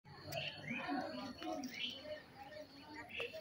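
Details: Black-hooded oriole pair with chicks giving short, fluty whistled notes and a few harsher chirps at irregular intervals, with faint background chatter and low ambient noise.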